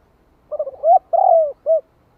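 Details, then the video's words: Spotted dove used as a decoy bird, cooing to lure wild doves in a 'hạp bổi' voice style. It gives one phrase of low, hollow coos: two quick short notes, a swelling note, a long falling coo, and a short final coo. "Tiếng Cu Gáy Giọng Hạp BổI [ GÁY GỌI + THÚC ] Kích Bổi Nhanh Nổi"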